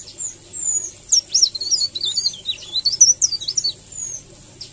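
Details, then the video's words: Rolling, melodious leaf warbler song used as a tutor recording: long, unbroken streams of very high, thin, rapidly twisting notes with short sweeping whistles, filling almost the whole stretch. "Suara ngerol merdu Cikrak daun"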